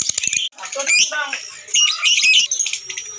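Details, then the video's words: Lovebird singing a long ngekek trill, the chattering style of song valued in Indonesia; rapid dense squeaky chatter and high buzzy trills run almost continuously, broken by one brief gap. "Burung lovebird Ngekek dan Gacor"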